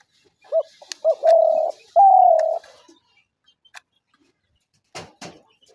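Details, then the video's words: Spotted dove call used for luring doves into traps: two short soft hoots followed by two long, even, slightly wavering coos, the last one starting higher and gliding down. A faint click is audible near the end. "ঘুঘু পাখির ডাক/Dove bird calls/gugu pakir dak/ dove trap sounds"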